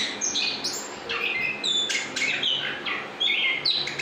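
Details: Rolling "ngrol" style singing from a chestnut-backed thrush, a nonstop flow of bright whistles, slurred notes and quick trills, loud and dense throughout with no breaks between phrases.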